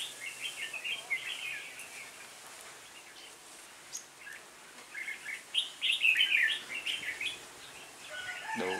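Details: Red-whiskered bulbul lead decoy calling wild birds to a trap on 26 November 2017; scattered chirpy warbles, a louder bubbling phrase near the end, amid steady background noise.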